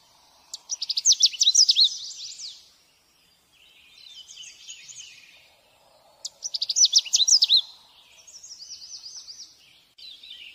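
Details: Canada warbler song: rapid, jumbled bursts of high chattering notes about one and a half seconds long. Each burst opens with a sharp chip, and softer warbled phrases follow. The pattern repeats about every five seconds against a quiet background.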